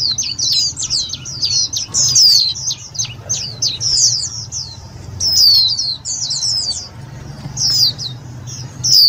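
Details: Indian white-eye calls used as a lure for trapping and to stimulate other white-eyes: rapid high thin chirps and slurred descending whistles in quick bursts, some notes overlapping, with a low hum underneath.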